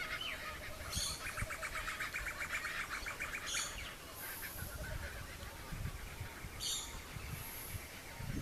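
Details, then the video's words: Distant laughing kookaburras give their morning song at a wildlife sanctuary where koalas live, a rolling chorus of rapid, repeated cackling notes, with short high chirps from other birds cutting in over a low outdoor rumble. "And if you listen, you can hear laughing kookaburras singing their morning song in the distance."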